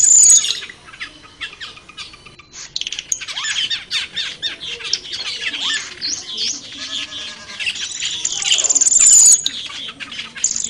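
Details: Long run of wild cucak keling chatter: crackling, clicking squawks repeated about four times a second, with shrill whistles at the start and near the end.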